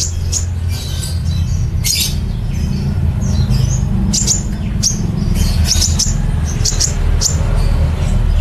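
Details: Sunbird called kolibri ninja, singing nembak cililin: rapid high chips and scratchy twitters scattered through the phrase, over a loud steady low rumble.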